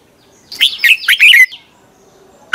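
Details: Red-whiskered bulbul morning song, used as a lure recording to train other bulbuls to sing: one quick phrase of four or five bright, rolling whistled notes, then a pause and the start of the next phrase.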